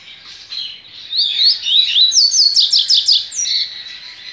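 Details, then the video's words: Captive double-collared seedeater at a licensed breeding facility, recorded 23 November 2019, delivering its Baiano-style song: warbled sliding whistles building into a rapid series of sharp, rising and falling notes, loud and clear over faint bird chatter. "COLEIRO BAIANO"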